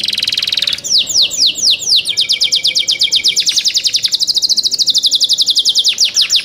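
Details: Young canary song with a short buzzy roll, then a series of sweeping downslurred notes running into a long, rapid, even trill of high chirps.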